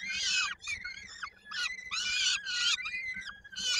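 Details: At a Polish peregrine falcon nest in Koszalin, 16 May 2022, while a chick is fed and its foot sticks in a beak: rapid series of hoarse, screechy harmonic calls, each about half a second, nearly continuous.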